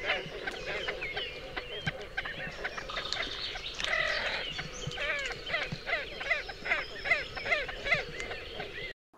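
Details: Great Crested Grebe calling: a run of short, nasal, clipped notes repeated quickly and fairly evenly, growing more regular toward the end, over scattered clicks and a busy background.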